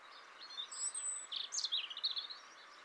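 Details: Male European robin singing: a thin, high, varied warble of quick trills and sliding notes, including a sustained very high whistle, then fast jumbled twittering over steady background hiss.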